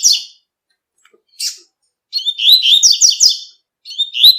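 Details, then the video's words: Double-collared seedeater of the tui-tui song style, singing outdoors in nature: short high notes, then a fast run of bright, buzzy, slurred whistles repeated several times, with a new phrase starting after a pause. "COLEIRO TUI TUI CANTANDO NA NATUREZA"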